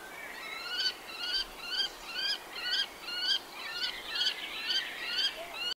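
A common kestrel gives a rapid series of shrill, sharp kee-kee-kee notes, about two each second, against a quiet background.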